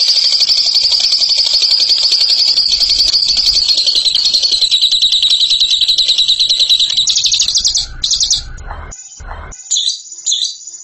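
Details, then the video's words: Bird performing ngekek, the praised long chattering call: a dense, continuous high trill for about eight seconds, then short broken bursts separated by brief gaps with faint low thumps. "INI DIA JAGONYA NGEKEK"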